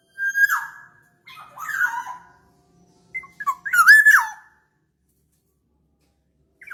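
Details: Black-naped oriole lure song: a clear whistled note, a jumbled warbling phrase, then short notes running into a loud looping fluted whistle, with silence after.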